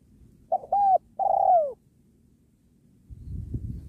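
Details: Lure spotted dove calling during dove trapping next to a sacred tree. One phrase: a short note, a level hooted coo, then a long slurred falling coo. Faint low background noise follows.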